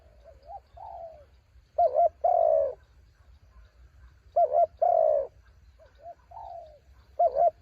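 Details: Spotted dove decoy in high wind: loud phrases of a quick double coo and a long falling purr, repeated about every two and a half seconds. A softer distant dove coos in between.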